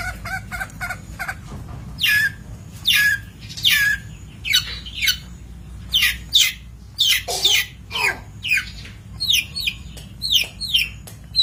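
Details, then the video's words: Long-tailed shrike singing on a training master for birds: a long run of rasping, downward-sweeping notes, some clipped and some drawn out, coming roughly every half second to second, over a steady low background hum. "Masteran Cendet / Kicau Cendet"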